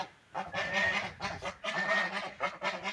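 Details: Ducks eating food and drinking water, giving a run of loud, harsh, nasal calls that overlap in quick bursts with short gaps, several birds calling together.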